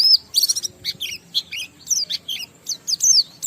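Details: Oriental white-eye in 'ngalas' song with 'riwikan' fill-ins, played to stimulate other white-eyes: choppy sequence of high chirps, buzzy chattering notes and descending slurs, delivered quickly with brief gaps.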